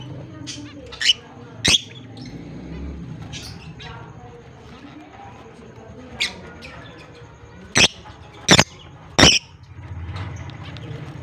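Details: Pet lovebirds, a blue personata and an albino bird, chirping on October 25, 2023; sharp, loud chirps come in ones and twos, bunching closer together near the end, over soft chatter and a low background hum.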